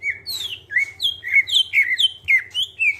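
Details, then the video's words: Greater green leafbird with a clear voice, singing as a lure for other birds: a fast series of bright whistled notes, each dropping in pitch, about four per second, above a soft steady hum. "Cucak ijo suara jernih, pancingan biar cepat gacor"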